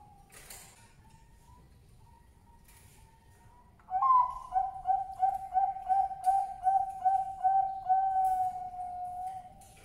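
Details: A male Bangkok zebra dove, used to lure females, coos in a quick run of about ten soft, rolling mid-pitched notes, then a longer drawn-out note; a faint steady tone comes before it.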